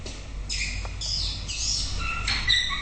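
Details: White-rumped shama singing in the morning: bright whistled phrases, some sliding and slurred, delivered in quick succession with little pause, over a low background rumble.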